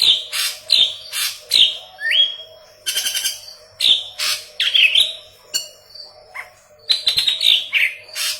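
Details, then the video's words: Gacor song of a yellow-headed leafbird for green leafbird training: loud raspy chirps, a rising whistle, a fast trilled stutter and clear whistled notes in quick succession, in quiet surroundings. "Burung Murai Daun Kepala Kuning Gacor"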